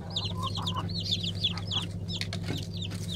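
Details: Several Black Araucana chickens from a 2020 season flock call together in bright, rising-then-falling peeps that come in quick irregular bursts, a few softer lower notes mixed in, over a continuous droning hum.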